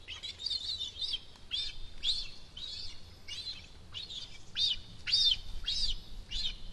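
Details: At Rascafría in Sierra de Guadarrama, a cinereous vulture youngster a month past fledging begs from the nest as a parent appears. A steady run of high, thin, arched squeaks, nearly two per second.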